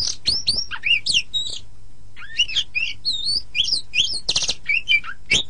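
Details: Training song of an oriental magpie-robin, meant for tutoring other songbirds: quick run of bright slurred whistles, rising and falling sweeps and harsh buzzy notes, with a brief pause midway and a steady low hum in the background.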